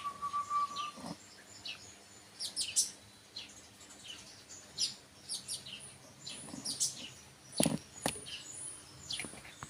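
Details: Kolibri wakul (konin) calling: sharp, high chirps and short twittering bursts scattered irregularly through the clip, over a steady background hum, with a brief pure tone at the start.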